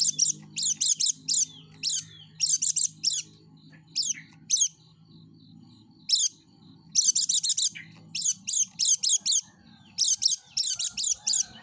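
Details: Yellow-breasted white-eye singing hard, used as a lure for other white-eyes: repeated packets of three to five very high, sharp chirps, with pauses between bursts and soft background noise.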